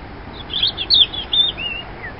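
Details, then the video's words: A robin sings a brief run of thin, high, squeaky warbled notes in quick clusters, with a faint steady hiss behind. "Song of a Robin"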